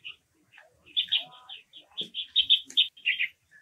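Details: Japanese waxwings (Bombycilla japonica), apparently several calling together, give high, thin, buzzy trilled notes in quick, overlapping bursts, with a few faint lower sounds.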